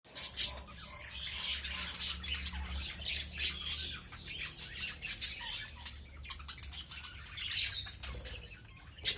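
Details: Budgerigars in an aviary that is filling up with birds: a dense mass of overlapping high chirps and squawks from many birds, with a low steady hum beneath.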